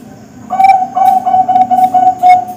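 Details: Bangkok-type zebra dove, young kept birds, song meant for tutoring contest and breeding birds: after half a second of quiet, about eight clipped coos follow in quick, slightly uneven rhythm, ending on a longer note.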